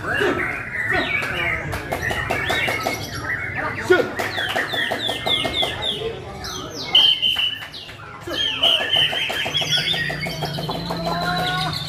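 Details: White-rumped shama in full, fast song: a dense run of varied chirps, rapid trills and clear whistled notes, with sharp high whistles near the middle and end, over a low background hum and some faint voices.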